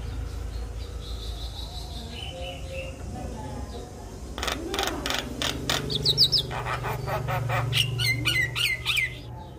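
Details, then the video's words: Javan myna song, used to prompt mynas that have stopped singing. After about four quiet seconds of low hum, a burst of rapid dry clicks gives way to sharp rising and falling whistles and chatter. "Kicauan Jalak Kebo Untuk Memancing Burung Jalak Macet Bunyi"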